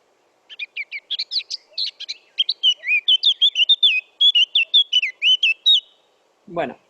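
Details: Eurasian Blackcap giving a typical song: a quieter, softer chattering start of brief notes building into a loud, clear, fluting warbled final section, followed by a short human voice at the end.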